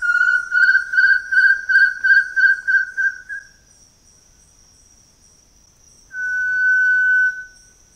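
Variegated Tinamou: about ten pure, mellow whistles at roughly three per second, then after a pause one long, level whistled note. No other sounds.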